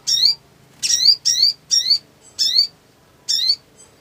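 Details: Black sunbird (Leptocoma aspasia) song, used as a lure recording: six sharp, high, slightly buzzy notes in quick irregular succession, each rising and falling quickly, over an otherwise quiet background.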